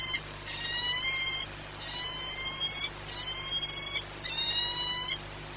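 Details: Peregrine falcon at Orlen Płock, Poland, 22 March 2021, 14:39: four drawn-out, harsh, harmonic wailing calls, each over a second long and slightly rising, repeated with short gaps over a background hum.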